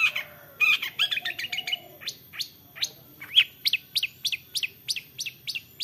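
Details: Long-tailed shrike giving 'toet toet' song used as a lure so other shrikes join in: a rapid chattering run of high chirps, then a steady series of short, sharp, upward-flicked notes repeated about three times per second.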